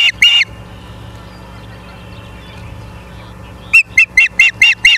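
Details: Osprey calling at a nest in Charlo, Montana, 09/07/2023, 09:42: two quick piercing whistles, a pause of steady hum, then a fast even series of six shrill chirps.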